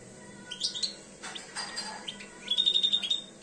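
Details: Two-year-old European goldfinch beginning to come into breeding condition: scattered high chirps, then a quick run of bright, evenly repeated notes near the end, with short noisy rustling bursts in the middle.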